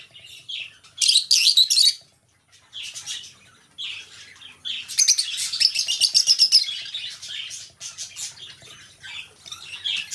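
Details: Two lovebirds kept together as indoor pets, giving loud clusters of piercing chirps, then a long, fast run of squeaky twittering notes followed by softer chatter.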